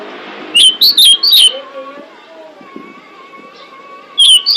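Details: Female pied bushchat calling to attract males: a burst of four or five sharp, slurred whistles, then quieter thin drawn-out tones and faint background chatter before another whistled burst begins.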